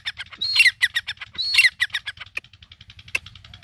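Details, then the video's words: Iranian partridge (teetar) calling in a city: harsh squawking notes with two louder, strained, rising bursts about a second apart, then quieter rapid clicking pulses and a few sharp ticks. "irani Teetar ki awaaz |city per bolnae wala Teetar ki Awaz |Teetar sound"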